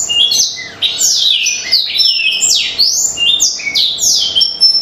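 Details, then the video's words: Black-throated canary song intended to set birds singing: bright, high sliding whistles and quick descending notes, in a brisk, varied flow with a short pause near the start. "BLACKTHROUT OVER GACOR || PANCINGAN AMPUH UNTUK BURUNG CEPAT GACOR"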